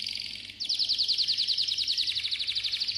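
A Malta canary sings a brief high, sustained note, then a fast, even trill of bright chirps, about a dozen per second. A faint low hum sits underneath.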